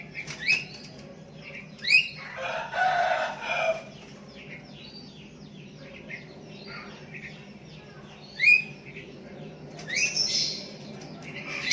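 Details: Sooty-headed bulbul calling to a rival decoy bird while other bulbuls answer; short bright chirped notes in scattered bursts, with a brief rustling noise burst and long quiet gaps.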